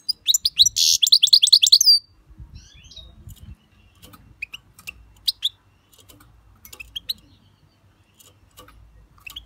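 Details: European goldfinch giving a loud, rapid trill of bright, high repeated notes for about two seconds, followed by quiet scattered clicks and ticking sounds with soft rustling.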